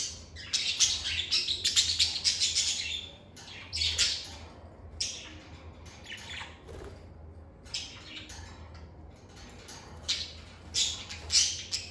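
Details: Lovebirds chirping and squawking in a calm setting: dense bursts of sharp, scratchy high chirps in rapid clusters, pausing briefly before starting again, with a faint low hum beneath.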